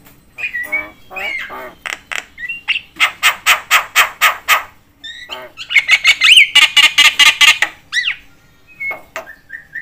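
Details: Noisy Javan myna calling to provoke other mynas. Rows of harsh, evenly spaced rasping squawks come in two long volleys, then a rising whistle and short level whistled notes follow.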